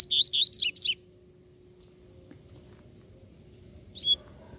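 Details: Double-collared seedeater, a free-living bird described as more aggressive, sings a brief burst of high, rapid, sweeping notes lasting about one second, then falls silent, followed by a single short phrase near the end.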